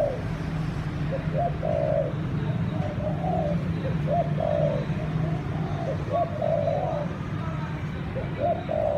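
A dove coos in soft, low phrases of short notes running into longer drawn-out coos.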